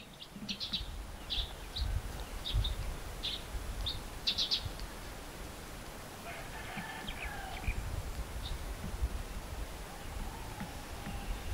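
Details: Blue-tailed bee-eater filmed along the Bued River, La Union, Philippines, on November 14, 2021, in open country near water; short bright chirped notes in loose groups, with a fainter burst midway over steady low wind-like rumble.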